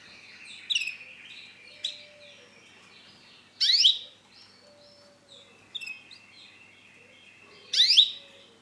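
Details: Male canary, orange and black in colour, singing: bursts of bright warbled notes high in pitch, some steep rising sweeps and trills, coming in short phrases every few seconds with quiet gaps between.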